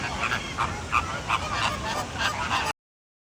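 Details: Several American flamingos in Singapore calling with harsh, nasal honks, about three per second in an uneven rhythm, overlapping each other, before the sound cuts off abruptly near the end.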